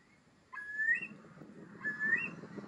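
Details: Eurasian curlew in Lower Bavaria, Germany, Deggendorf district, listed as critically endangered in Bavaria. Two loud whistled notes rising gently and ending in a sharp upturn, over a steady low hum.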